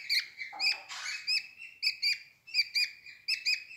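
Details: Young budgerigars in a nest box with their mother, eleven days old, eyes open and feathers coming in: clustered scratchy high chirps in short bursts with brief gaps, plus a soft broadband rustling burst near the start.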